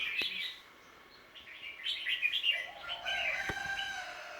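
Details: Birds around a home, recorded 10 December 2020: bright, high chirps and twittering notes in a quick, irregular sequence. There is a short pause after the first burst, and a couple of sharp clicks cut through.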